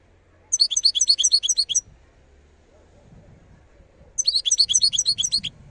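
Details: Wild European goldfinch, Algeria, delivering two bursts of fast, ringing twittering song, each over a second long, separated by a pause with faint low background noise.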